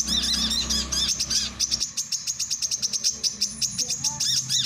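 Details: Piercing, quick-fire chirps from a male brown-throated sunbird, at first clustered and twittering, then spaced into a regular series of sharp single notes.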